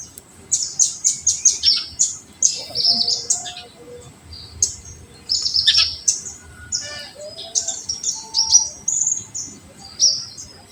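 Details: Olive-backed sunbird in full 'tembakan' song, used as a lure to stimulate other birds: very high, rapid twittering bursts of thin sweeping notes, with brief pauses between volleys.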